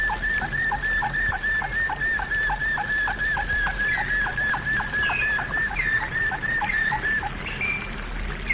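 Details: Domestic canary flute-style song: a steady whistled tone broken by rapid repeated dropping notes, later a few rising whistles, over a low steady hum.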